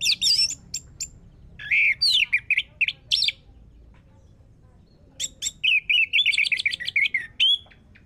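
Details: Orange-headed thrush (Geokichla citrina) song used as a lure to prompt other birds: two bursts of rich, varied warbled phrases, high and quick, mixing sweet whistles with scratchy chips, separated by a short pause.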